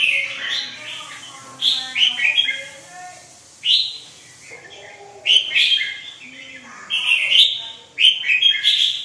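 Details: Chào mào, the red-whiskered bulbul, delivers repeated bubbly phrases of quick liquid notes, each burst starting sharply and trailing off. Several song bursts follow one another across the recording.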